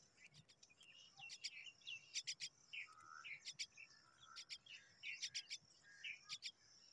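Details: Hungry myna chicks waiting for their mother give harsh, raspy begging calls in quick clustered bursts, repeated about every second, with a few softer lower notes between them.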